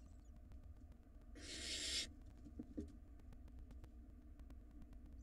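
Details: Barn owl nestlings, wild, battling over food inside a camera-watched nest box; a single rasping hiss-screech of under a second, followed by faint scuffling and light tapping.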